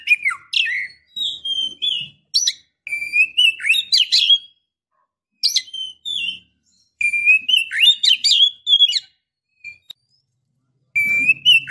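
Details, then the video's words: Female Oriental magpie-robin calling to attract a male: bursts of rapid, varied whistles and scratchy chirps, with falling and wavering notes, broken by short pauses; a faint low hum at the end. "KACER BETINA Memancing KACER JANTAN"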